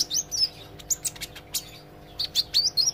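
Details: Young olive-backed sunbird practising its song, giving quick, high, thin tweets and slurred chirps in rapid bursts, with soft clicks and a faint constant hum behind.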